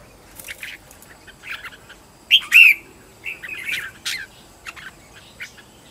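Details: Decoy red-whiskered bulbul trained at home, giving competitive song meant to call in wild birds; brief bursts of bright, warbled whistles and chirps, one strong twisting phrase mid-way, then quieter scattered notes.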